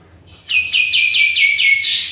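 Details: A single sooty-headed bulbul phrase used to make other birds respond: seven rapid ringing notes, each dipping a little, running straight into a bright upward slur.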